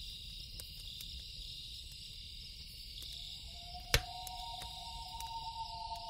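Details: Loon at night giving a drawn-out wailing note that slides up and then holds two steady tones. Campfire crackles throughout, with one loud pop partway in, over a continuous high-pitched insect drone.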